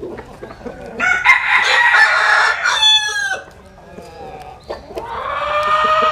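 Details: A rooster crows in a long, strained, buzzy cry lasting over two seconds that ends with a falling note. After a pause of faint clucks, a second crow begins.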